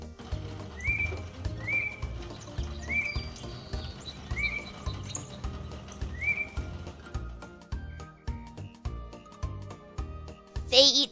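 A Tufted Titmouse gives five short, slurred whistled notes about a second apart, over steady background music.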